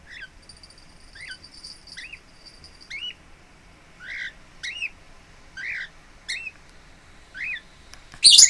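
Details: Pet lineolated parakeet at home, relaxed and settling in, recorded 26 April 2017: a string of short, rising chirped notes, mostly single, some doubled, at irregular intervals under a faint steady high whine, ending in a loud harsh burst.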